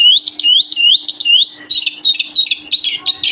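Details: A singing pair of Eurasian Siskins gives a fast, high twittering song of quick rising slurs that turn into busier, wheezy chatter, over a faint steady hum.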